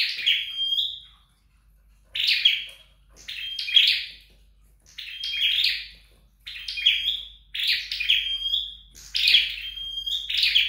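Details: Home-trained flowerpecker producing clusters of crisp, high twitters and brief piping whistles, irregularly spaced with several silent pauses, in a quiet room.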